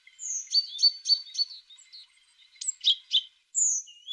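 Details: Singing tit repeats clear high notes several times in quick rhythm. Rasping buzzes and a long thin whistle follow.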